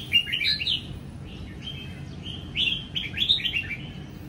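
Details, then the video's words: Young caged red-whiskered bulbul of the Sông Kon type in Vietnam sings in the ché style in the morning of 20 April 2022. It is sunbathing after moulting its wild plumage. Short bright warbled phrases slide up and down, with a low background hum. "Chào Mào Sông Kon Hót Ché Buổi Sáng"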